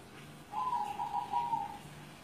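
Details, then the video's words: Single coo phrase from a caged zebra dove over seven years old, recorded at a home in Kudus: a purring, slightly wavering sequence of soft, mid-pitched notes lasting just over a second, against a quiet indoor background. "SUARA PERKUTUT GULING MURIO"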